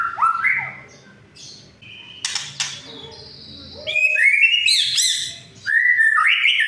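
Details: White-rumped shama song played to provoke silent shamas into singing and to stir rivals: loud varied whistled phrases, some rising and some falling, mixed with sharp buzzy bursts and high twittering notes.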